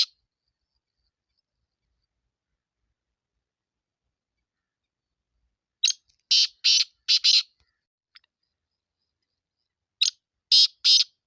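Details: A Sindhi black francolin gives two grating call phrases several seconds apart, each a sharp opening note followed by three or four loud, buzzy, rasping notes; quiet between phrases.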